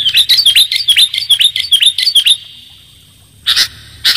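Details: Lure call of the sooty-headed bulbul, clear-voiced: a rapid run of about a dozen crisp chirping whistles over two seconds, a pause, then two loud broadband bursts.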